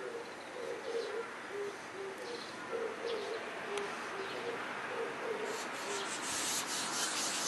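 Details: An Oriental turtle dove, recorded from a distance near a swallow nest under a house's eaves while the nestlings were being fed, gives soft, low, hollow coos in short repeated groups over a steady hiss, with faint high chirps near the end.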